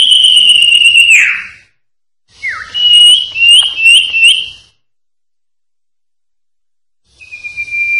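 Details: Common Iora (cipoh) master song in the sertu style: a long pure whistle ending in a downward slide, a pause, then a quick falling note and about four repeated rising whistled notes. A final steady whistle begins after silence.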